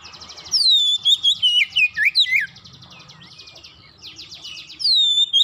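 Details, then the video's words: Oriental magpie-robin in rapid song: buzzy trills and descending whistles, a quieter gap, then another buzzy burst with a clear whistle. "Kacer macet bunyi cepat gacor"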